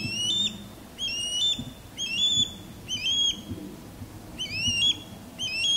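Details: Courting ospreys: a male sky-dancing over a backyard while a female calls from high in a longleaf pine. Piercing whistled chips rise in pitch, grouped in short bursts roughly every second, with soft low rumble beneath.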